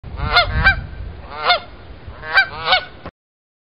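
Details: Canada geese giving loud, nasal, richly harmonic honks, paired in quick doubles, with three bursts over about three seconds and a breathy background in between.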